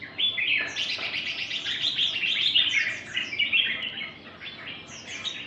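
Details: A Red-whiskered bulbul (Pycnonotus jocosus) sings a long, busy run of bright chattering and whistled notes, rapid and varied, with over ten distinct note types and a few clearer whistles standing out.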